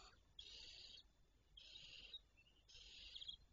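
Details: Barn owls recorded on 26 May 2023 at 08:12 give three long, harsh hissing screeches, each lasting about half a second and spaced roughly a second apart, with a short softer hiss between the second and third, against a quiet background.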